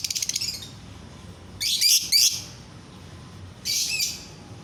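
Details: Lovebird singing to draw other lovebirds into song: a quick pulsed chatter opens, followed by two loud grating screech bursts and another harsh burst near the end.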